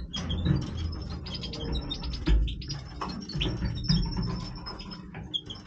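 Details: Singing Major goldfinch in breeding voice: rapid bursts of high tinkling, twittering notes in quick runs, set against heavy low thumping and rustling noise.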